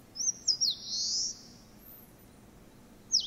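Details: Eastern crowned warbler song, a summer visitor active in thickets of deciduous broadleaf forest: a few quick, very high thin notes run into a long buzzy, slurred note, the phrase restarting about three seconds later.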